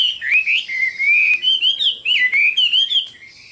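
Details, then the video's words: Chinese hwamei singing a loud, varied run of clear whistled phrases, rising and falling and slurring between notes with little pause, ending abruptly; no other clear sounds. "Chim họa mi đẹp và hót rất hay"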